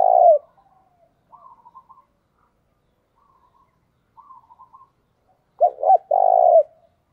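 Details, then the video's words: Decoy spotted dove cooing to call in wild doves: one coo ends at the start, then soft, higher, fluttering notes, then a full phrase of two short coos and a long, rounded final coo. "Chim Cu Mồi Thúc Bổi Nghe nó đã mà mở lên bổi và mồi còn gáy theo nữa"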